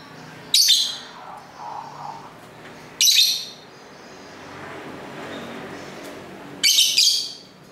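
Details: Lovebirds at home singing and talking to each other, recorded on a camera's built-in mic near a main street: three loud, harsh, high screechy chirps spaced a few seconds apart over faint street hum.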